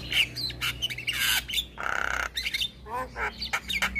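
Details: Javan myna calling to stir quiet, stressed birds into singing: harsh, grating squawks alternate with short rising whistles and chattering notes, over a constant low background hum.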